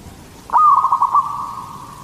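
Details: A local zebra dove in strong song, used as a lure for other zebra doves, gives one soft, drawn-out coo that wavers slightly in pitch and lasts about a second and a half.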